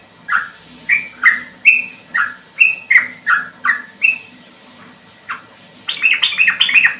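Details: Sooty-headed bulbul, its song described as slow yet rapid-fire and fit for tutoring other birds: a run of about ten short, rich whistled notes swinging between lower and higher pitches, a pause, one note, then a quicker cluster of higher, overlapping notes.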